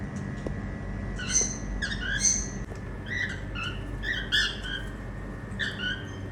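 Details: Pet Indian ringneck parakeets making happy sounds during playtime: short harsh harmonic squawks repeated roughly once a second over a steady low hum, with faint human voices nearby.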